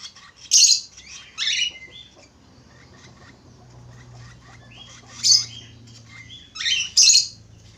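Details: Budgerigar in full whistling song: loud, harsh buzzy chirp bursts with short high whistled notes, in clusters around one, five and seven seconds, with soft twittering between them.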